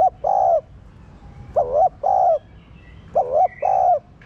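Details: Caged spotted dove used as a lure to provoke cooing; three phrases, each pairing a short bending note with a longer steady coo, about one and a half seconds apart, light chirping faintly behind.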